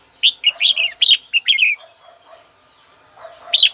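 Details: A red-whiskered bulbul sings to provoke a rival, giving a rapid run of rich, warbling syllables for about a second and a half. After a lull with soft low notes, one more loud phrase rings out.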